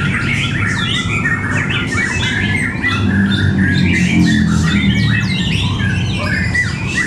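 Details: At a Cibinong bird contest in Indonesia, white-rumped shama fighters sing fast, jumbled sequences of sharp whistles and downward-slurred chips, several at once, backed by constant loud murmuring and rumbling from the audience.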